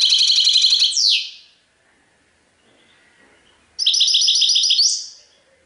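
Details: European goldfinch song of the sarfati tiwawati type: two bright bursts of fast, high, twittering notes, each ending in a sliding downward slur, separated by about two seconds of near silence.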